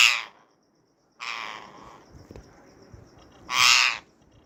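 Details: Indian ringneck parakeet mating call: three loud, harsh, broadband screeches, each about half a second long, separated by pauses of one to two seconds against a quiet background.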